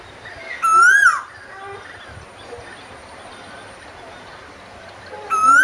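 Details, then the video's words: Koel giving a loud upward-swooping whistled note, then a long quiet gap before a second identical note begins at the end; low steady background hiss. "குயிலின் அமுத கானம் - 3 | Singing Asian Koel - 3"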